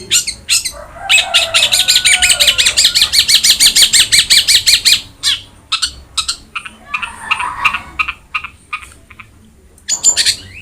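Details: Long-tailed shrike in lively song for training a quiet shrike: a few sharp notes, a fast rattling chatter lasting several seconds, then scattered harsh squawks and chirps.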